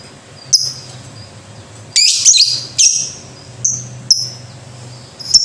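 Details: Lovebird from a ngekek-style song recording. Sparse sharp chirps are broken by a loud, harsh chattering burst near the middle. A steady low hum is heard throughout.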